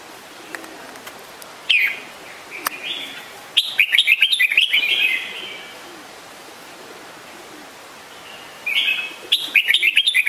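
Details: Red-whiskered bulbul giving cheerful phrases of rapid, bubbling whistled notes: one short note, then a two-second chattering run, silence, and another bright burst near the end.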